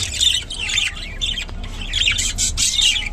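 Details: Rainbow budgerigar giving dense, harsh chattering squawks and scratchy chirps in rapid bursts, near-continuous over a few seconds, with a low steady hum beneath.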